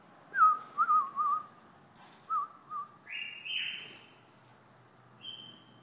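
White-eared Bulbul giving short, liquid warbled phrases, mid-pitched and wavering, a few per second, then a brighter, buzzier higher note near the end.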